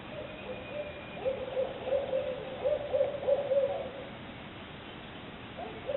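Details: Backyard owl giving a short series of low, mellow hoots, several per second, for about two and a half seconds, then silence and one more hoot starting at the end; quiet background.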